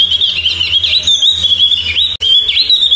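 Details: Javan grey-throated white-eye (opior jawa) singing a fast, unbroken stream of high warbling whistles with short upward slurs, cut by a brief silent gap near the end, a faint low hum underneath.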